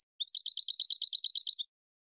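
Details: Goldfinch song: a quick series of about fifteen high, evenly spaced twittering notes, each paired with a slightly higher overtone, in a clean recording with no other sounds.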